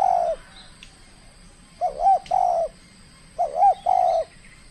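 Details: Aggressive trained spotted dove, Riau Islands, Indonesia, at its first calling contest: the end of one coo, then two full phrases of a quick wavering double note followed by a drawn-out mellow hoot, under faint background hiss.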